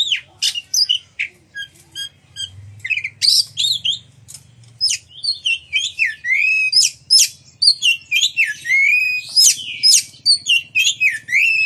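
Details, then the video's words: Oriental magpie-robin in full, lively song, used to prompt other magpie-robins to sing and fan their tails; a varied run of loud whistles, slurred sweeps and sharp buzzy notes, high-pitched and delivered about twice a second. "Pancingan Kacer Gacor Ngeplong Nembak! Buat Kacer Lain Ikut Buka Ekor Keluar Isian"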